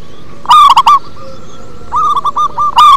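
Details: Brief burst of song from a deep-voiced local zebra dove: a loud rough phrase of quick coos, a softer rolling series, then another loud note.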